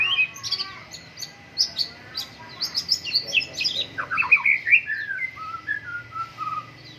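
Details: Caged white-rumped shama, Medan, Indonesia, out for early morning dew airing, singing a long varied run of rapid chattering and sharp high notes that flows into lower rich whistled phrases.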